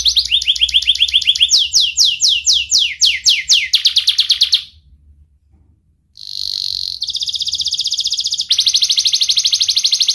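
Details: Young canary with a sharp voice, a training lure for juvenile and lazy canaries: rapid descending slurred notes speed into a swooping run, a brief pause, then two dense high buzzy trills, one after the other.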